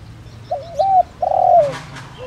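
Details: Spotted dove used as a decoy, with a 'đồng rặc' voice. One phrase: a wavering lead-in, a smooth coo, then a long, slightly rolled, falling coo, with soft background noise.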